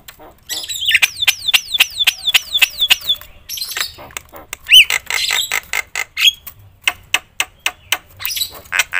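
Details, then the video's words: Javan myna (jalak kebo) in loud, provoking full song: a run of about seven repeated falling whistles over rapid clicks, then harsh chatter, one rising whistle, and a long sequence of sharp evenly spaced clicks. "suara KERAS jalak kebo gacor full isian bikin semua burung jalak emosi gacor"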